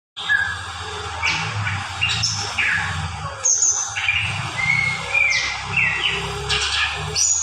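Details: Greater green leafbird song: a varied string of clear whistles, sharp downslurred notes and short trills at irregular intervals, over a low background hum.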